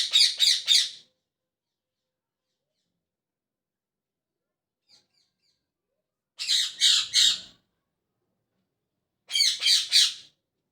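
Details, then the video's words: Morning chirping of a parrot in three clusters of three or four shrill, grating notes, spaced several seconds apart, with quiet gaps between and one faint tick in the middle. "Parrot Chirping At Morning | Parrot Sound"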